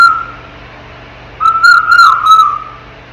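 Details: In its crib, a ten-month-old African grey parrot whistles: a short clear note, a pause, then a longer wavering whistle that dips briefly in the middle before levelling off.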